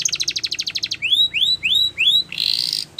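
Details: Singing canary: a quick pulsing trill gives way to four separate rising whistled slurs, then a short buzzy rattle and a clipped final note.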